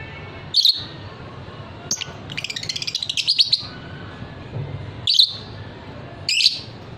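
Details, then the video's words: Ngekek song of a fighter lovebird kept by bird hobbyists: isolated harsh chirps framing a rapid trill of about fifteen quick pulses lasting nearly two seconds. "suara lovebird paud figter"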